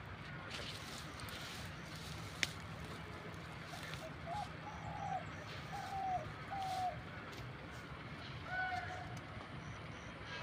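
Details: A dove, apparently a hunting decoy raised up a tree and recorded zoomed from far away, gives soft, low hooting coos in short and longer groups, half-buried in steady traffic rumble and faint voices.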